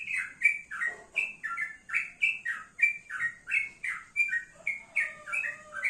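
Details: Rapid bubbly song from a male yellow-vented bulbul sunned in the morning, with clear gurgling notes at a fast, steady beat and a soft lower tone near the end.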